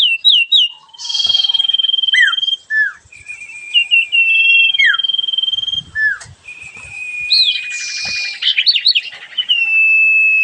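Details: Sooty-headed bulbul singing persistently in the "dor ngentrok" style: quick whistled notes, long steady high whistles broken by buzzy trills and sliding twitters, loud and nearly continuous.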